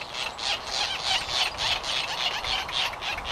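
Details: White Tern (Gygis alba rothschildi) at Midway Island, 1999, giving harsh, raspy, grating notes in a quick run of about three or four per second, high-pitched and scratchy.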